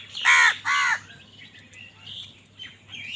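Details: Two strong, grating caws open the sequence as crows compete for food. Quieter chirps and whistles from other birds follow.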